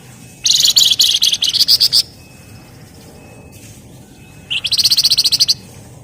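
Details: Javan grey-throated white-eye (flamboyan) singing actively in the dense ngebren style: two bursts of rapid, buzzy, high chattering notes, about a second each, separated by a quiet pause with a faint thin whistle.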